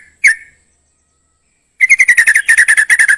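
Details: Trucukan (yellow-vented bulbul) gives one loud chirp, falls silent for over a second, then breaks into a rapid, rattling string of buzzy chips, about four per second.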